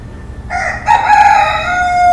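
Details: A rooster's morning crow: a brief opening note, then a sustained, slightly falling harmonic cry that holds steady to the end. Background is quiet.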